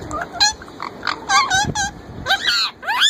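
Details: Young pet plum-headed parakeet male trying to talk like a ringneck parrot: varied, bending, speech-like warbles and squeaky wavering notes in quick succession, with low rumbling background noise.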